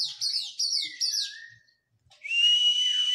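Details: Oriental magpie-robin, a kept bird in physical training after its moult, giving four quick high whistled notes, each sliding down, then a short pause and a long bright steady whistle with a slight rise.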